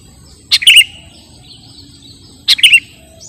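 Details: Two bubbly Sooty-headed bulbul phrases about two seconds apart, each a clipped opening note falling into a quick fluty warble, with a faint thin whistle between them. Recorded for luring or tutoring birds.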